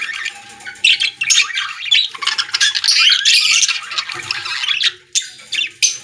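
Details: A group of budgerigars singing together in a pet store, a dense, continuous wash of overlapping buzzy chirps, clicks and warbles with faint low room noise beneath.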